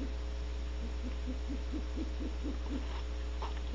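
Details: Great horned owls hooting at Audubon Starr Ranch, California, at 6:17 am on 1 January 2013 as a female barn owl returns to her cavity: a fast, even series of low, soft hoots over a steady hum.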